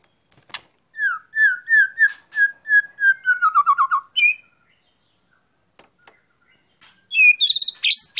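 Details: White-rumped shama set out in the sun, singing clear whistled notes: a row of about a dozen short falling whistles that slide lower, a pause, then a burst of high rising, ringing notes.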